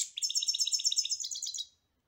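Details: Singing European goldfinch delivering a quick, bright twittering trill of about twelve liquid repeated notes that softens and fades out.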